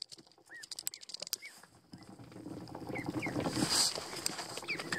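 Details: Young, still unfeathered, probably American Pekin ducklings swimming in a tub give short, thin peeps that bend up and down, several over a few seconds, amid splashing water and sharp clicks.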